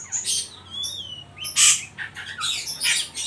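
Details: Loud ngeriwik calling by an Oriental magpie-robin intended to stimulate young birds: dense scratchy high-pitched bursts with a clear downslurred whistle early on, delivered almost continuously.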